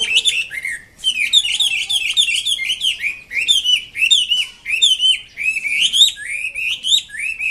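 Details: Energetic, continuous song of a wambi kembang mandarin: quick strings of high, bouncing chirps and whistled slurs repeated in phrases about a second long, with brief breaks between bursts.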